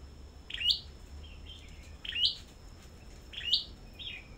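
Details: Caged Sâu đầu đỏ at a bird farm, singing competitively. Three evenly spaced phrases, each a sharp rising squeak followed by a softer trailing chirp, arrive about every one and a half seconds.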